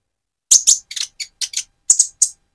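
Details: Van Hasselt's sunbird in speckled plumage, moulting toward metallic feathers, singing vigorously as a lure to stir another bird's emotion; short bursts of very high, sharp chirps in quick clusters, about nine notes within two seconds, otherwise quiet.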